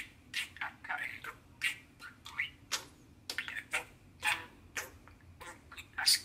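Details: Pet male budgerigar, six years old, singing and shouting excitedly from its keeper's hand by the sink: rapid irregular chatter of short scratchy chirps and squeaks, with a quiet indoor background.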